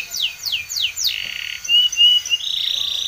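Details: Spanish Timbrado canary training song with four falling swept notes, then a buzzy rattle and sustained clear whistled notes ending in a steady metallic trill.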